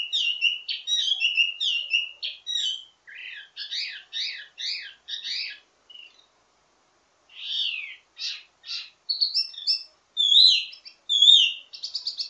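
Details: Wambi mini singing a ledekan (teasing) song in full voice, rich in variations and meant for tutoring others of its kind: rapid bright chirps and trills in bursts, a pause near six seconds, then varied whistled phrases.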